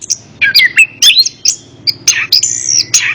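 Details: Orange-headed thrush singing, played to encourage a bird that will not sing. Loud varied phrases mix downslurred whistles, buzzy notes and a sustained high whistle near the end, over a soft low hum.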